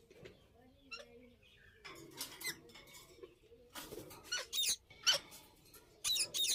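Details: Indian ringneck parakeets in a breeding setting: bursts of harsh, raspy screeches from about two seconds on, clustering toward the end with loud clipped squawks, over faint indoor background noise.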